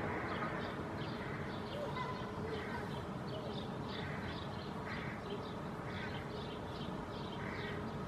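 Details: A Hooded Crow pair and their fledgling perch in a shady maple canopy at midday during a dry heatwave (about 28°C), giving harsh, hoarse calls about once a second, overlapping and even, over a steady low rumble. Finding: Hooded crow.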